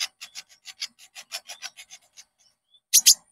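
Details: Konin song used to lure and train caged birds: a rapid series of rasping, buzzy high notes that trails off, then two loud sharp chirps close together.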